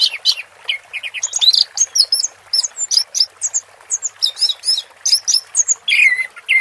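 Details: Teler-style song of an orange-headed thrush with water-therapy sound behind it: a continuous torrent of varied chirps, trills and slurred whistles, shifting high and low without break.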